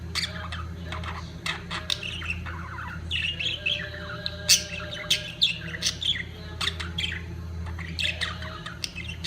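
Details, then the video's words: Budgerigars in the peak of their mating period keep up a busy twittering warble of chirps, clicks and sharp notes, steady low hum in the background. "طيور الحب البادجي في قمة تزاوجها"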